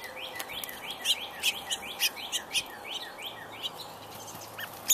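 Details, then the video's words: Woodpecker in spring in Indiana: a rapid series of repeated chevron-shaped notes, about three to four per second, mid-pitched and even, with occasional sharper high chirps from another bird and a steady background hiss. "Woodpecker Spring --- Six Indiana Woodpeckers"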